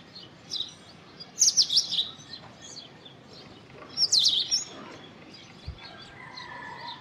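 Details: An Indian robin (Copsychus fulicatus) sings two brief bursts of high, quick chirping notes about two and a half seconds apart. A faint steady whistle from another bird comes near the end.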